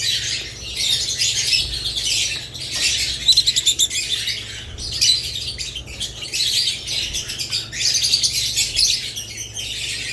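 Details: Budgerigars, alongside lovebirds, chirping busily in a group; a quick run of sharp, evenly pulsed notes stands out around the third second amid steady high twittering.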